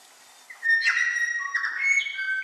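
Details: Male New Zealand bellbird (Anthornis melanura) singing on the Otago Peninsula: a short run of tuneful, liquid, bell-like whistled notes, some steady and some sliding, rising and falling across about two seconds.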